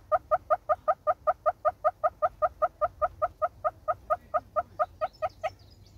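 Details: Southern Red-billed Hornbill in South Africa gives a long, even run of hollow, clucking 'tok' notes, about five per second, over faint rustling and distant background noise.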